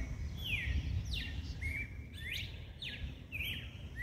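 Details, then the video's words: Double-collared seedeater song in the mateiro style, played to stimulate males: a run of clear slurred whistles, each sliding down then levelling, repeated about every half second over steady low background hum. "Canto do coleiro MATEIRO Pra esquentar macho."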